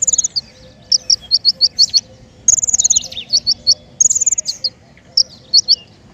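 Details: Trapping lure from a king konin: short bright trills alternating with groups of three to five quick, sharp, high chirps, repeated in a lively pattern over a faint background hum.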